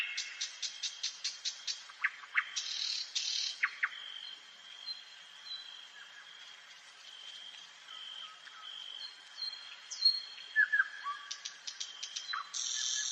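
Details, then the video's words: Common nightingale singing at night in a forest: rapid clicking rattles, buzzy bursts and sharp downslurred notes in varied phrases, over a steady high insect-like hiss. "СОЛОВЕЙ. НОЧНОЕ ПЕНИЕ СОЛОВЬЯ В ЛЕСУ."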